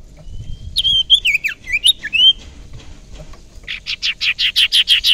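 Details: Young wild common iora, a lure bird, singing slurred whistled phrases, then a fast series of about ten harsh chattering notes.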